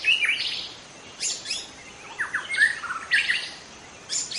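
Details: Young forest White-rumped shama, wild, alternating rough buzzy bursts with short slurred whistles, phrases spaced about a second apart.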